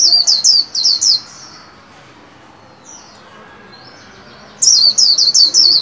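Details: Caged white-eye trained to sing at the new year: two bursts of rapid high descending trilled notes, about four to five per burst, separated by a quiet gap of about three seconds.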